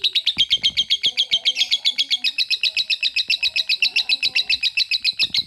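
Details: A lovebird in long ngekek trill, compared to a steam train: fast, very regular high pulses, around six per second, loud and unbroken from start to finish, with soft background sounds.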